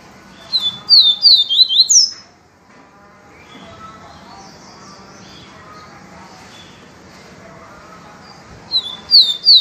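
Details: Yellow-bellied seedeater singing pure viviti-style song, used for song training: a rapid burst of high, sharply slurred whistled notes, then a quiet stretch with soft background murmur, and a second burst of bright slurred notes near the end.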